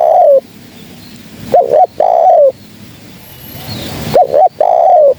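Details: Lure recording of a spotted dove cooing. A long falling coo ends one phrase, then two full phrases follow, each a short doubled coo and a drawn-out mellow note, about two and a half seconds apart.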